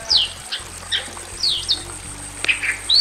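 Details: Male and female Bali mynas in a simple aviary give loud, sharp whistled notes, mostly falling slurs, in quick irregular bursts with brief chatter between; a faint low hum sits underneath.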